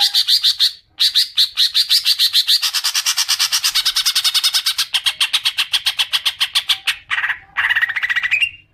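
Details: Greater green leafbird, used as a lure to make another bird chatter at length: fast, harsh repeated notes in long rattling runs, briefly broken, with rising squeaky phrases near the end.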